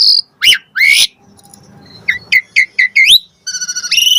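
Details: Asian pied starling singing a varied lure phrase to draw answering birds: harsh bursts, then a series of five short rising whistles, ending in a fast trilled buzz that climbs.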